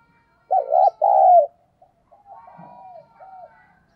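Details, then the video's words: Decoy spotted dove giving đồng pha style thúc and gáy gọi calls: one loud low phrase, a quick doubled coo then a longer falling coo, followed by faint softer cooing. "tiếng chim cu gáy mồi chuẩn cực hay giọng đồng pha thúc & gáy gọi"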